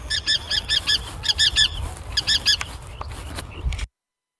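Forster's Tern giving harsh, nasal, rasping notes in quick bursts of three or four, with three bursts in about three seconds over faint background hiss.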